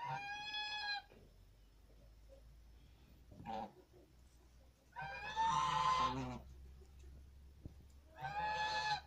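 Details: Farm geese call in loud, brassy honks: one at the start, a short muffled note, then a long, harsh double honk and a final honk, over a steady low hum.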